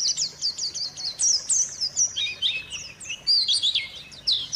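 A white-eye pours out a fast, unbroken stream of thin, high twittering and chattering notes that dip and rise; nothing else stands out.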